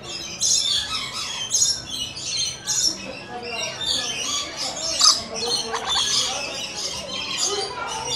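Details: Rainbow lorikeets arriving to visit, a flock giving dense, harsh, high screeching squawks that overlap almost continuously, with sharper bursts about once a second.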